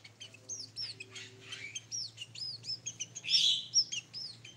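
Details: Tame Sooty-headed bulbul delivering a lively run of clear whistled notes that arch up and down, repeated rapidly and ending in a louder burst, with a soft low hum behind.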